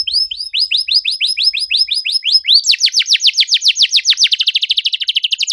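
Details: Song of a canary used as a lure for silent birds, rapid 'cuit cuit' style: evenly spaced upslurred whistles, then a faster run of steep falling sweeps ending in a dense trill.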